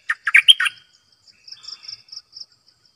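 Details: Decoy bulbul giving one quick burst of four or five jaunty, bubbling notes, followed by quiet soft chatter and a faint high rhythmic buzz.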